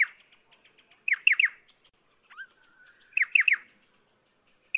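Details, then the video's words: Pardalote, a small bird of lower ground near water, giving quick bursts of three or four sharp descending notes, twice, with a thin rising whistle between and soft ticking notes in the background. "BEST PARDALOTE SOUND COMPILATION"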